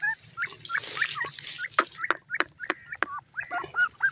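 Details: Grey francolin, called desi teetar, giving rapid upslurred and looping call notes mixed with sharp clicks and taps, fairly loud and close.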